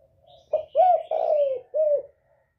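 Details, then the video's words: Spotted dove of the northern style, with a 'còi bổi' voice used to provoke other birds, gives one loud coo phrase: a short note, two long drawn slurred coos sinking slightly, then a shorter closing coo, after a soft murmur. "Chim cu gáy giọng còi bổi ghét kích chim rất hiệu quả, cu gáy miền bắc"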